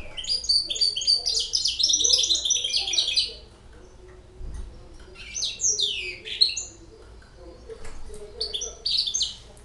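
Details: European goldfinch hybrid, six months old, delivering a fast, liquid twittering song: a dense three-second burst of tinkling high notes, then shorter phrases with descending buzzy slurs and scattered chirps.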